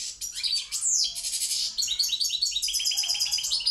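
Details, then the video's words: European goldfinch of the Balkan form, from Pirot, singing a fast twittering song of high tinkling, buzzy notes and sweeping whistles, dense and continuous, in a quiet setting. "Carduelis balcanica Pirot Štiglić"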